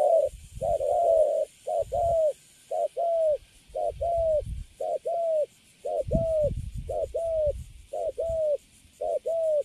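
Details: Spotted dove caught from the wild and kept in a cage, giving good-quality cấn sấm cooing: steady paired coos, a brief note then a longer falling one, repeated about once a second, with low thumps underneath.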